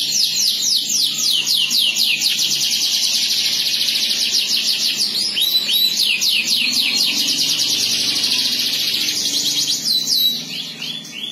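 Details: Domestic canary in sustained song, rolling through rapid trills of sweeping notes repeated several times a second, switching between faster and slower rolls, fading slightly at the end over a soft low background hum.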